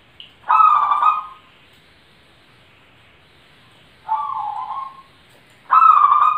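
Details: Cooing of a zebra dove, three warbled, tonal phrases each lasting about a second, separated by pauses of several seconds, the first and last loudest, against a quiet background.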